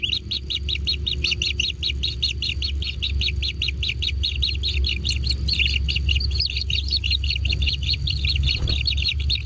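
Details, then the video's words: Kingfisher chicks in a natural nest begging while being fed: a dense, rapid run of high, sharp chirps repeated many times a second without pause, with a steady low engine-like hum underneath. "Anak Tengkek Diberi Makanan Semakin ExTrim - Natural Kingfisher Bird Nest"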